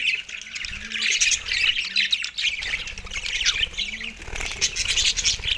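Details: Australian budgies over soft food, 4 December 2023: thick, continuous scratchy warbling and chirping from several birds, with a faint low hum underneath.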